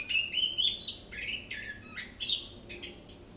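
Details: Orange-headed thrush in continuous repertoire-rich song: a sequence of bright whistled notes stepping upward, then harsher buzzy and very high squeaky phrases, loud and close.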